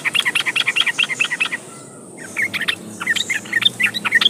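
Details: {'caption': 'Yellow-vented bulbul (trucukan) song, used as a lure to get other trucukan singing: fast bubbling, chattering phrases of short warbled notes, a brief pause, then another lively burst of varied chirps.'}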